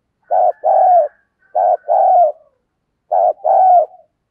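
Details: Luring decoy dove giving three coaxing two-part coos, a short note then a longer, slightly downslurred coo trailing off softly, spaced about 1.5 seconds apart with no background noise.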